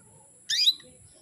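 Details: Single bright, upward-sweeping chirp from a female canary calling to arouse males, about a third of a second long, over faint low background noise.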